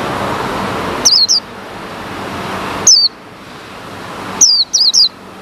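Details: A caged male white-eye, kept apart from the female, calls once uncovered, with wild birds of its kind nearby. Thin, falling chirps sound singly twice, then as a quick triplet, over a faint hiss.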